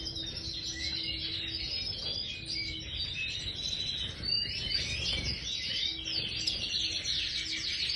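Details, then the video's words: Caged Major goldfinch in an aviary pouring out a busy, high twittering song of tinkling chirps and buzzy trills, while a faint low tone sounds briefly in the background. "Stieglitz Major Voliere طائر الحسون الرائد"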